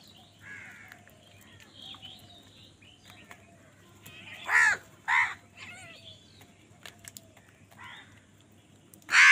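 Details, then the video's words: House crows calling angrily while fighting other wild birds for food; harsh caws around mid-clip and a loud one at the end, with faint chirps of other birds and a low steady hum throughout. "Angry kawa ki awaaz"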